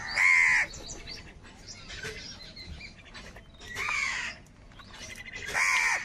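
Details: Crows gathering and squabbling over food; three loud raspy caws spaced about two seconds apart, softer distant calling between them.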